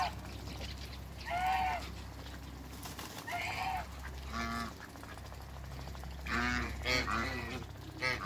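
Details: Three African geese on a farm honking loudly: separate harsh, ringing honks spaced a second or more apart, some run together in pairs near the end, with a low hum beneath.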